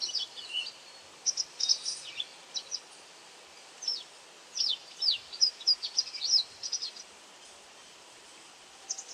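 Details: White wagtail calling while hunting insects: a few thin high chirps, a pause, then a faster run of sharp twittering notes, then quiet with one last chirp; light background hiss throughout.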